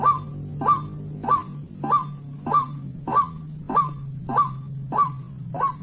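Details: White-breasted waterhen (ruak-ruak), wild bird sought during a hunt. A fast series of croaking, honk-like notes comes about every half second, each starting with a sharp upper tip, over a steady low hum.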